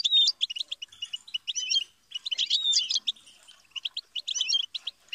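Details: European goldfinch delivers bursts of hurried, jingling twitters and rolling trills, broken by a short pause near the middle.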